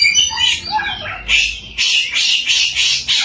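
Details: Lure recording of a samyong singing to make other samyong birds sing too: a short run of slurred whistles gives way to a series of harsh, buzzy, squawking bursts repeated about every third of a second.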